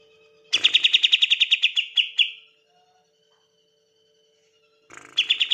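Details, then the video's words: Green leafbird (cucak ijo) ready for competition, singing a tembakan burst used to provoke silent leafbirds into song: a rapid run of about fifteen sharp, metallic notes over two seconds, a pause, then another burst begins. "PANCINGAN TEMBAKAN CUCAK IJO"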